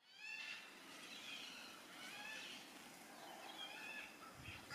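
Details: A flock of Yellow-tailed Black Cockatoos in Tasmania, Australia, gives drawn-out, wailing, cat-like calls that waver in pitch, with several birds overlapping throughout and a faint background rustle.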